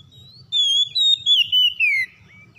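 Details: Oriental magpie-robin, as a trigger for a reluctant singer: a soft lead-in note, then five loud whistled segments forming one long phrase that glides steadily downward. A low hum sits in the background.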